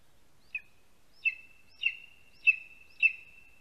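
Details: Lesser spotted eagle chick at a nest in a spruce in Latvia, filmed by a live nest camera at 12:25 pm on 2 August 2020 as a vole is brought in; five sharp high piping notes, spaced about every half second.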